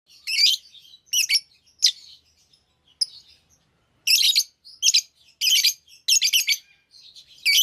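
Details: Many active lovebirds calling together: bursts of harsh, high chirps and squeaky tweets in short clusters, with brief pauses between bursts and quieter chatter in the gaps.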